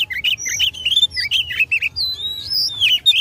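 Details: Oriental magpie-robin singing to provoke rivals in a fight, rich continuous warbling of slurred whistles and long rising high notes, clear and close.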